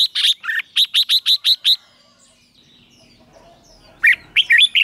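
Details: Red-whiskered bulbul morning song used for training, in the loud 'chè' style: a quick run of seven bright, clipped notes, a pause of near silence, then a renewed burst of slurred, rising-and-falling chirps.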